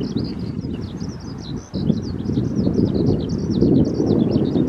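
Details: A skylark at the Tama River sings a continuous high, twittering warble of rapid chirps and trills, with strong low wind rumble underneath.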